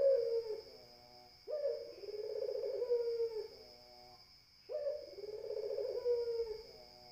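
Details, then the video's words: Repeated long coos from a spotted dove, low and mellow with a brief rising start, about three phrases at an even pace, steady electronic whine in the background. "SUARA PUTER BIKIN_EMOSI _BURUNG_LAINNYA"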